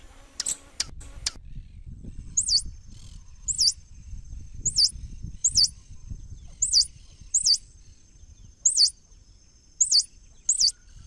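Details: Swallow-tailed hummingbird repeating sharp, high looping squeaks roughly once a second, with a faint steady high tone behind them and a few clicks at the start.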